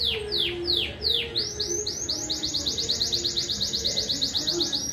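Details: Domestic canary singing at a competition in Juiz de Fora, Minas Gerais, Brazil: a few slow descending whistles give way to a fast, steady trill of rising notes, about three per second, with faint low background hum.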